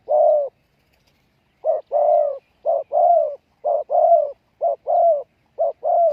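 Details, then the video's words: Decoy spotted dove cooing to attract wild doves. A single drawn-out coo opens, then after a pause comes a steady run of soft paired coos, each a clipped note and then a fuller, longer one, about once per second. "chim cu mồi gáy gọi bổi"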